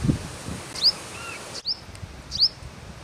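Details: Purple sunbird at Akhnoor, Jammu and Kashmir, India, May 2022, giving three sharp, high, descending chip notes spaced under a second apart, over soft rustling background noise.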